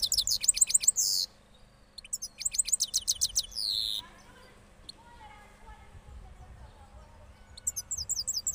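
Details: Cross goldfinch after moulting, Parachinar, singing in bursts of high rapid trills and buzzy notes, broken by quiet gaps with faint lower chirps and a steady low hum.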